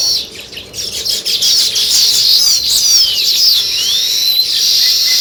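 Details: Dense, high, twittering sparrow chirps in quick succession, with several brighter rising and falling notes standing out from the busy chatter.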